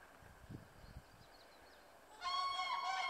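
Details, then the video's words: Common cranes' loud trumpeting klangor in Masovia, Poland: a few faint low thumps over quiet background, then an abrupt, strong, rich-toned trumpeting call with bright harmonics, held and slightly wavering for about a second. "Źurawie na Mazowszu i ich doniosły klangor"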